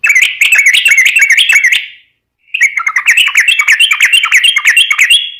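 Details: Yellow-vented bulbul (trucukan), singing actively for a lure recording, gives two long, rapid, rollicking phrases of liquid slurred notes with a brief gap between them.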